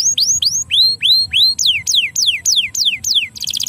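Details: Canary song for stimulating lazy canaries: rising curved whistles repeated, then a series of steep falling whistled notes about four per second, ending in a fast high trill.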